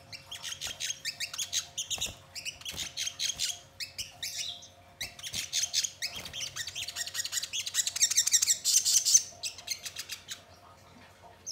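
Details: Crimson sunbird song offered as a lure so birds sing and respond: long runs of rapid, high, scratchy twittering with short breaks, rising into an intense shrill trill toward the end.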